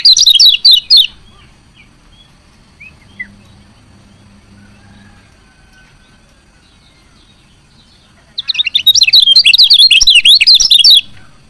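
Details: A female lemon-bellied white-eye calls to rouse reluctant males to sing, with a short volley of quick, high, twittering chirps, a long quiet stretch with a low hum and faint notes, then a longer rapid burst of chirps.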